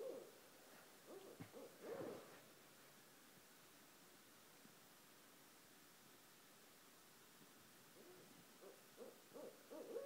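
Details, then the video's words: At 1:30 am, two barred owls just outside a home give a few low hoots early on, then fall quiet for several seconds before a fresh burst of rapid hoots near the close. "Two Barred Owls at 1:30 am"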